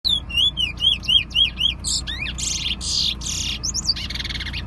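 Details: Bullfinch singing at a bird song competition on the way to Preysal: rapid clear whistled notes, arching and rising about four per second, then a run of harsh buzzy and chattering phrases; faint low background hum.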